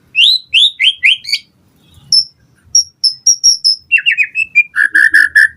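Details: White-rumped shama song used to provoke other birds to respond, made of repeated downslurred whistles, a series of high thin piping notes, then quick slurred phrases and a run of fuller notes.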